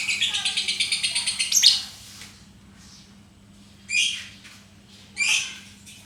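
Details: Lovebird giving a fast, high, buzzy pulsed trill of about eight beats a second for under two seconds, then two short harsh squawks after pauses.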